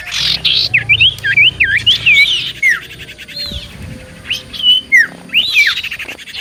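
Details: Common iora singing briskly to provoke answers: a rapid run of wavy whistled loops, pauses, then further sliding whistles and a buzzy burst, with a low hum behind.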